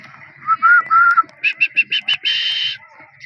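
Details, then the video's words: Dakni teetar, a grey francolin kept for training: two lower whistled notes, then a quick run of five clipped repeated notes and a longer high harsh note, with a faint hum behind. "Dakni Teetar Ki Awaz"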